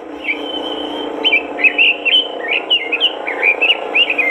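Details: Robin singing vigorously as a master recording to get other robins singing: a long steady whistle opens, then quick warbled, slurred notes follow in rapid bursts over a loud, constant background hum.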